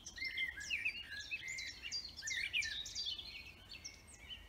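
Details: Birds sing in a forest, a dense chorus of quick chirps and short warbled phrases that rise and fall in loudness, with steady background hiss.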